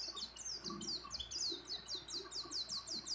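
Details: White-eye, a female in breeding condition calling a male, in a track filled with songs of many other birds. High, fast series of short downslurred whistled notes repeated several times a second, with faint low murmuring beneath.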